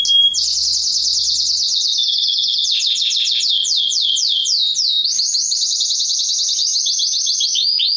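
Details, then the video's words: Male canary in full song for stimulating females to breed and for training: an unbroken stream of fast, high repeated notes, some sweeping downward, flowing into a long, even rapid trill. "اقوى تغريد كناري للتسميع و تهييج الاناث للتزاوج"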